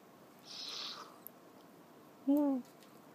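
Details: Young northern white-faced owls, hatched 15 and 17 December 2012 and nearly ready to debut, give a single short, low hooting note with a slight downward slide, preceded by a soft breathy hiss.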